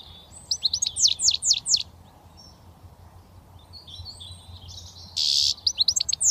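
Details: British goldfinch, a youngster just starting to whistle, delivers quick sweeping downslurred chirps, a quieter twittering patch, then a buzzy note and more bright chirps, with low hum beneath.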